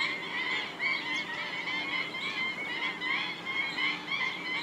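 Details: Thousands of birds including black-winged stilts in wetlands of Gujarat, India; an unbroken wall of rapid, slightly rising yelps from many birds at once, rolling in gentle waves of loudness.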